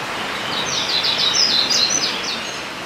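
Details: Painted bunting in a zoo bird house giving a quick run of thin, high chirps and short slurred notes, rising and falling, half-buried under a steady background hiss.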